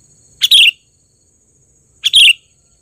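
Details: Loud lure call of a trained sooty-headed bulbul in full voice: two short, rich whistled bursts about one and a half seconds apart, each a quick bubbly flourish, over a steady thin high tone.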